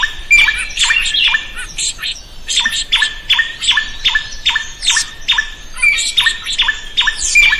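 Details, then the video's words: Drongo in energetic song, recorded for training other songbirds: a continuous fast series of rasping, buzzy notes with downward-hooked ends, broken by occasional thin, high whistles. "SUARA SRIGUNTING GACOR COCOK BUAT MASTERAN.burung lain akan ikut gacor"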